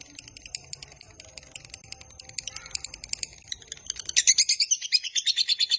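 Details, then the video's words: Lovebird giving a long 'ngekek panjang' trill, used as a master recording to draw out other lovebirds. Faint chattering notes build into a loud, rapid, harsh chirping burst in the last two seconds. "Suara MASTERAN Burung LOVEBIRD Ngekek Panjang"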